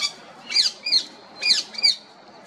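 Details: Close, clear female rose-ringed parakeet squawks: two pairs of shrill, screechy notes with sharply falling harmonics, each pair about a second apart, over a quiet background.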